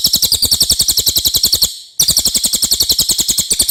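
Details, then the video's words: A clean common iora song, used as a master recording for training songbirds. A rapid, high-pitched trill breaks off briefly and then resumes at the same quick, even pace. "suara cililin jernih"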